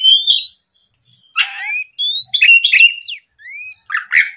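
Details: Oriental magpie-robin morning song used to provoke rival birds: separate clear whistles, some rising, some falling steeply, broken by short gaps and a few scratchy bursts.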